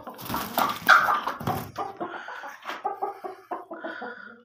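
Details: Black Aseel chicken from Pakistan giving a loud, harsh run of harmonic notes: a strong burst in the first second and a half, then a series of shorter, clipped notes about every third of a second.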